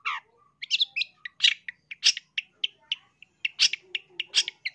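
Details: Long-tailed shrike singing loudly, for bird training: a mimicking medley of short whistles, sharp clicks and buzzy chirps in varied, rapid sequence, with a few quieter low warbles.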